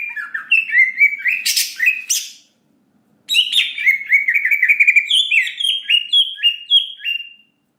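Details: Loud greater green leafbird song as a trigger for quick emotional response: quick whistled notes and a harsh burst, a short pause, then a fast string of repeated slurred whistles, about four per second.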